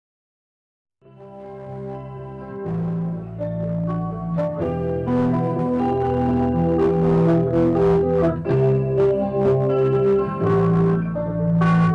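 Organ music plays throughout, with sustained chords and a steady rhythm, and no animal sound can be picked out.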